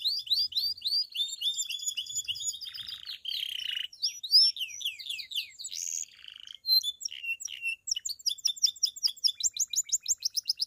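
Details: Pied Belgian canary singing its bell-style song, meant to stimulate other canaries and females: a long varied sequence of fast trills, buzzy passages and descending whistled notes, closing with a quick regular series of sharp chirps.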